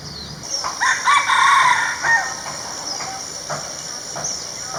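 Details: Male red junglefowl in natural surroundings crowing to claim territory or draw females: a single strong, rasping crow rising then trailing off over about a second and a half, with distant small bird chirps and a continuous high hum.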